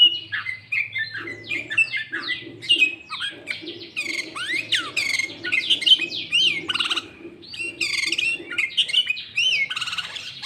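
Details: Sooty-headed bulbul lure song, loud and clear, filled with green leafbird phrases: continuous tumbling whistles and sweeping slurs with scattered buzzy notes, barely pausing throughout.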